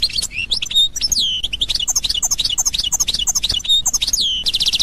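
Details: Authentic Constantine goldfinch, 2021, in loud continuous song: rapid tinkling notes, sliding whistles that drop in pitch and tinny twitters, about three notes a second, closing on a harsh buzzing trill.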